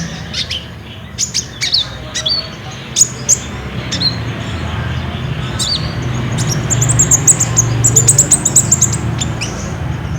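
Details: Olive-backed sunbird singing on a phone recording meant to stir caged birds into song: scattered sharp high chirps that speed up into a dense, twittering trill near the end, with a constant low hum behind.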